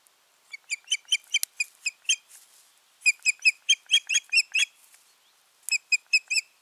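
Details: Ospreys, a pair at the nest in mid-June 2019 after a failed breeding attempt, give three bursts of sharp piping whistles, each burst of five to nine rapid notes, separated by short silences.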